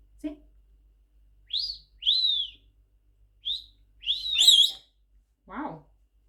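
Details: Eleven-month-old pet Quaker parrot giving a series of high whistles, some rising and some arched, spaced irregularly with short gaps, plus a low click at the start and a raspy syllable near the end.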